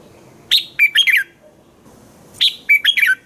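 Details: A red-whiskered bulbul sings at dawn to train other birds: two lively phrases of sharp, tumbling whistles, each a quick run of four or five notes, with a soft steady background rumble.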